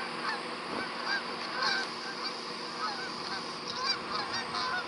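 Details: Flock of Canada geese honking: many overlapping short nasal honks in a continuous busy chorus, with steady broadband background noise.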